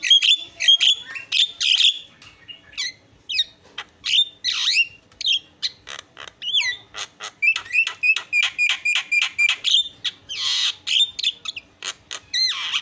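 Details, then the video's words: Varied isian song from a Javan myna: sharp ticking clicks, fast rattling series, rising and falling whistles, and harsh raspy squawks in long rapid sequences with few pauses. "SUARA ISIAN..!! JALAK KEBO PALING KRENN"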